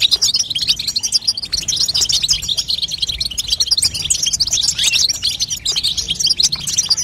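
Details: Female European goldfinch giving the batbata call, meant to strengthen a young goldfinch and push it to sing. Dense, fast, high twittering of tinkling chirps runs without pause, with brief dips in loudness.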